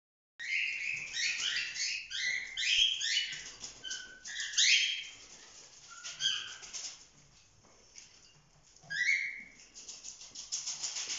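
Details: Young cockatiels, a flock of chicks over four months old, playing together; rapid overlapping harsh chirps and warbling calls, bursts of several birds at once, then quieter gaps and a final burst of rising chirps.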